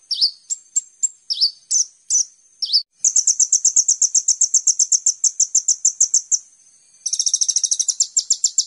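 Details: Kolibri ninja sunbird lure recording for training songbirds: a series of sharp, separate high slurred notes gives way to a long, steady, rapid trill of bright chips, then a denser buzzy trill at the end.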